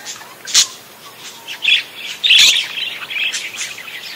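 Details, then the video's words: Chattering parakeet song, lively and vigorous, made of short scratchy chirps and sharp clicks that build to a loud warbled burst midway, followed by softer twittering notes. "Suara Kicau Burung PARKIT GACOR"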